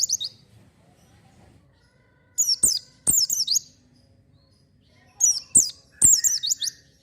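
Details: Oriental white-eye singing vigorously as a lure for raw, untrained birds: rapid high-pitched twitters and down-slurred whistles in short bursts, with gaps of a second or more between phrases.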